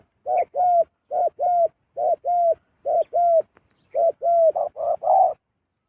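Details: Zebra dove heard while a wild bird descends to a decoy: paired soft coo notes repeated steadily about once a second, ending in a quicker cluster of rising and falling coos.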